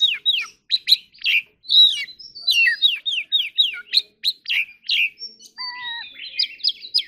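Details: Oriental magpie-robin singing a lively fighting-style song: rapid varied whistles, slurred downward notes and sharp chirps in quick bursts, with a few pure drawn-out whistles near the end; no other sounds.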